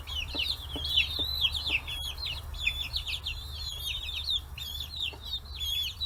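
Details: Young chickens, forty days old, raised free-range in Kitanohiroshima, Japan, gathered at fish heads; a dense stream of shrill wavering peeps from many birds, a few clicks and knocks, low steady background hum.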